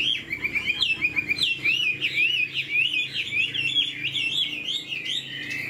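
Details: Chinese hwamei in a cage, tail fanned and flicked laughingthrush-style, delivers a fast chain of bright, undulating whistled notes, roughly one or two per second, steady and clear.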